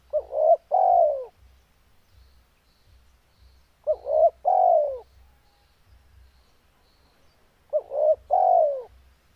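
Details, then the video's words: Spotted dove in breeding condition cooing steadily: three phrases about four seconds apart, each two brief hollow notes then a longer descending coo, low and soft, with a quiet background hum. "Suara burung tekukur Gacor full birahi"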